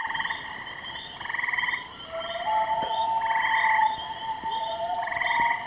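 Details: Common loons, Kennebec, calling together: several fast, laughing tremolo bursts alternate with two long, drawn-out wailing whistles, plus faint high ticking toward the end.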